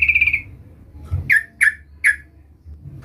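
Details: Sooty-headed bulbul calling to provoke a rival: a brief buzzy rattle fading out, then three loud, sharp, downslurred chips spaced about a third of a second apart.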